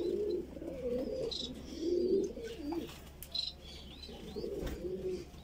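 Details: Voorburg Shield Cropper pigeon chick taking food: husky low burbling phrases separated by short gaps, with scattered faint high squeaks and chirps.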